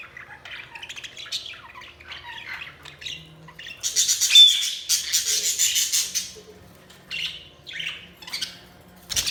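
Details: Several budgies keep up a restless high twittering of quick chirps and scratchy warbles, swelling into a loud burst of harsh buzzy chatter midway, then settling back to scattered tweets and squeaks.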